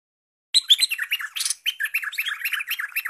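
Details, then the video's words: Newly trapped olive-winged bulbul singing actively, ready to serve as a lure bird: a rapid, dense run of chirpy, bubbling notes after a half-second of silence, with one brief harsh burst near the start. "merbah lekir hasil mikat sekarang Gacor siap jadi master mikat"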